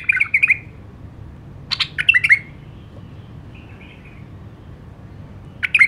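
A white-eared bulbul gives short, bubbly, liquid phrases in three bursts a couple of seconds apart, with a soft warble between.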